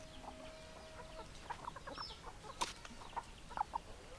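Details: Hens giving scattered short clucks and brief squawks, with a sharp louder call near the middle and a faint steady hum behind.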